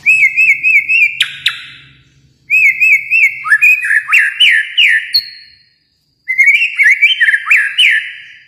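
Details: White-rumped shama of Kalimantan singing trilled, wavering whistles followed by rich sweeping notes, in three loud phrases with short silences between them.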